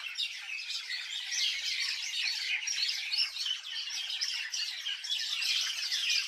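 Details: Several birds chirping in a village: a dense, continuous mesh of high, overlapping chirps and twitters with no single bird standing out.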